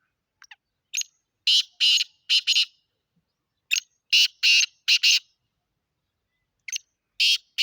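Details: Black francolin (kala teeter) from Sindh, Pakistan, repeating a harsh, rasping call phrase three times, each a burst of four or five grating notes, separated by silent pauses of a second or more.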